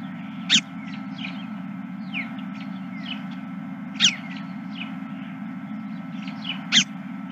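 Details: Geese at a ranch on the evening of 31 March 2023, around 21:26; three loud, short, harsh honks about three seconds apart over a faint, busy chorus of distant flock calls and a steady low mechanical hum.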